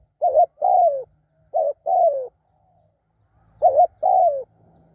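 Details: Spotted dove used in decoy trapping, giving three clear two-part coos: a short broken note then a long, gently falling coo, separated by pauses.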